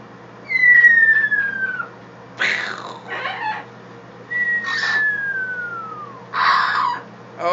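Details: A pet blue-fronted (turquoise-fronted) amazon named Karma, "dropping bombs", gives two long, clear whistles that slide downward, separated by harsh, raspy squawks and chatter.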